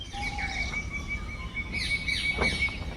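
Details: Many birds calling together in forest in the Motichur range of Rajaji National Park, Uttarakhand, on safari: a steady high whistled note holds through, with brief chirps and twittering layered over a low rumble.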